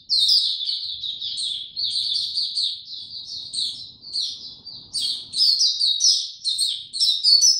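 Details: White-eye in full song, recorded 29 April 2022 with no health supplements given: a fast, high twittering of slurred chirps and short trills that runs almost without a break, with brief dips between phrases.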